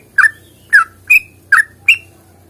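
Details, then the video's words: Five separate bright whistled notes from a sooty-headed bulbul in fighting song, each short and slurred upward, spaced about every half second over a low background hum. "trucukan GACOR tarung ropel panjang ini AMPUH bikin trucuk gacor bunyi NYAUT"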